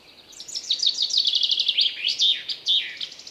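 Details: Common chaffinch in forest, one lively song: a rattling series of high chips speeding downward, then two emphatic slurred end notes, clear against a calm background.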